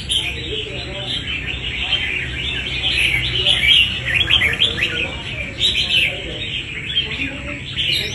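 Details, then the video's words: Red-whiskered bulbul, a wild-caught fighting bird, in busy song: overlapping quick chirps and bright whistled snippets, about one and a half phrases a second, rising and falling in loudness. "Bổi đấu quá tố chất"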